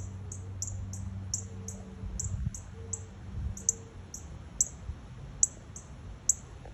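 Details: Northern cardinal nestlings calling very loudly beside a front door while the parents stay close: a steady run of high, piercing chips, roughly two to three a second, over a low background hum.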